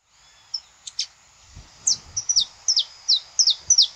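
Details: Saffron finch singing live in nature, a song used to warm up other birds: a series of sharp, high downslurred chirps, at first scattered, then about eight repeated quickly in a row. There are faint low thumps.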